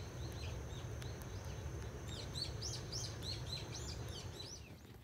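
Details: Six-day-old barn swallow chicks, six in a nest at a rural house entrance, give thin, high chirps, several overlapping in quick bursts that grow busier halfway through, over a steady low rumble; a chick's swallowing gulp may be audible.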